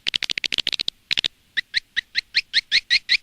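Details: Edible-nest swiftlets from an Indonesian outdoor lure recording for a nest house: a fast burst of sharp clicks, then a steady series of short, double-toned chirps about five per second, growing louder.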